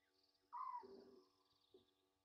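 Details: Egyptian geese at Gowrie dam waterhole, Djuma Game Reserve, Sabi Sand, South Africa, near midnight on 27 August 2023, fixed waterhole camera. One loud, harsh, downward-sliding honk, then a softer low grunt, over steady electrical hum.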